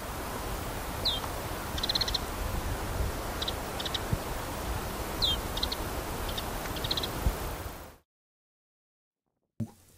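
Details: Lapland Bunting flight calls, the typical call of birds first detected in flight: short dry rattles mixed with two soft, falling whistled notes ("ticky ticky chu"), faint over steady low wind rumble, ending in silence.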